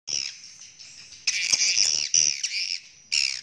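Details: Swiftlets calling in a courting, mating state: dense, buzzy, high chirps in overlapping bursts, a loud spell around the middle and a sharp final burst, with brief quieter gaps between.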